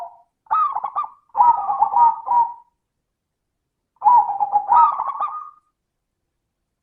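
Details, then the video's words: Lure recording of a local zebra dove with a 'crystal' voice: two long, rolling coo phrases separated by a pause. Each has stuttering, pulsed notes that waver between two pitches. "Pancingan suara burung perkutut - suara kristal"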